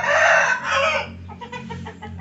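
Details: A hen crowing: a loud, hoarse crow fills the first second in two harsh swells, followed by a man talking over background sound.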